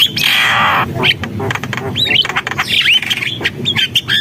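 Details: Javan myna song opening with a long harsh rasping burst, followed by upward-curving whistles and chattering squawks.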